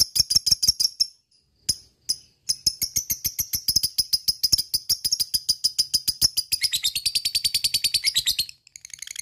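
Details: Lovebird chattering in ngekek style to excite other lovebirds into song. Crisp, clicky high notes come in quick series after two short breaks, then tighten into a denser buzzing trill near the end.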